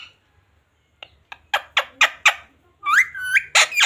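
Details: A pet parrot says Hindi words such as "mummy" and "papa", starting with a run of short clicking, squawky bursts and ending in nasal, sliding speech-like syllables, against a low indoor hum.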